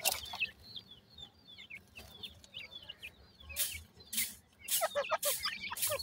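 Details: Partridge chicks calling while being fed: a quick, irregular stream of thin downslurred chirps, about three per second, broken by several loud broadband bursts of rustling or pecking.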